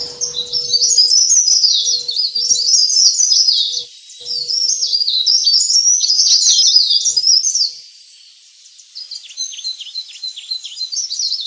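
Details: Lure recording of leaf warbler sounds, pare-pare ribut, used to pull in wild birds. Loud, dense high twittering and squeaky chips pour out, break off around four and eight seconds, then resume more softly. A faint steady hum sits underneath.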